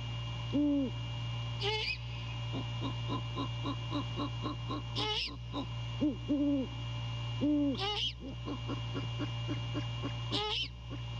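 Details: Night at a great horned owl nest, January 15, 2022: the male calls to his mate before courting. Low hoots come singly and in pairs, separated by scratchy high bursts, with a ticking pulsed chorus and hum throughout.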